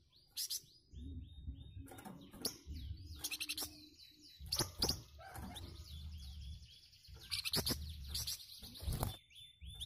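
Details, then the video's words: Flamboyan bird replying to other birds, giving tight, rough chattering bursts repeated through the stretch, mixed with thin descending whistles from other birds and a constant low background hum. "BURUNG FLAMBOYAN RESPON SUARA BURUNG LAIN.LANGSUNG NYAUT DENGAN KICAUAN KHASNYA.."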